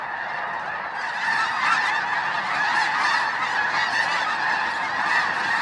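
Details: Snow goose flock at Bosque del Apache National Wildlife Refuge, December 2009, at sunset or sunrise, rapid overlapping honks growing louder after the first second into a thick, busy clamour.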